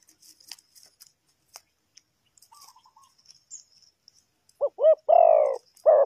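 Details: A spotted dove, kept for luring wild birds into traps, goes quiet for several seconds, then gives a loud phrase of two quick rising notes and a longer falling coo near the end.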